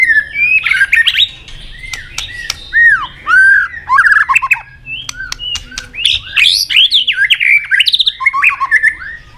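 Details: White-rumped shama in combative singing, fired up and tail-flicking: rich whistled phrases with sharp downslurs and warbles around 2–5k, interspersed with loud dry clicking notes, bursts separated by short pauses.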